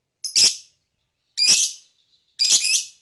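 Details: Lovebird chirping, said to provoke other birds' emotions: three loud, raspy, high-pitched chirps roughly a second apart, each with a buzzy, noisy texture.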